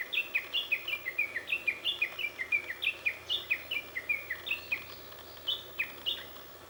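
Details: Japanese bush warbler singing unseen, hidden in the shade of mulberry leaves: a rapid, steady series of short, sharp downslurred notes, about four or five a second, sustained for nearly seven seconds over a faint low hum.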